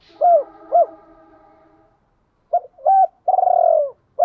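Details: Decoy spotted dove cooing to lure and attract females: two clear arched coos, a pause, then a short note, a flat held coo and a long rolling, falling purred coo ending in another note.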